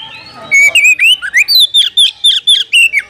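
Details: An Oriental magpie-robin gives a call that summons a rival to fight. A long whistled note leads into a run of quick, bright, upward-slurred whistles, loud and closely spaced.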